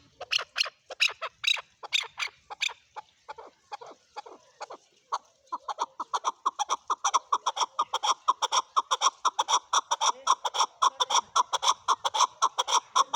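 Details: Calling male chukar: sparse harsh high notes for about five seconds, then a rapid accelerating rally of clucking chuck calls, over two per second, continuing to the end.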